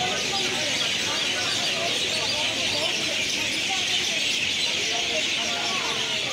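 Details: Myna flock in a roost tree shared by about a thousand mynas and many other kinds of birds; a dense, continuous wall of overlapping high chattering and squeaky calls, with no pauses, over a steady background hum.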